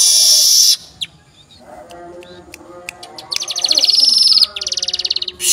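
A weaver delivers harsh, buzzy rattling trills, high and dense, broken by short chips, ending in a rapid stuttering series of rasping notes.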